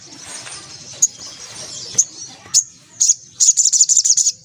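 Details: White-breasted woodswallow in 'ngriwik' song: several isolated sharp high chips spaced about half a second apart, then a fast chattering run of high notes at the end.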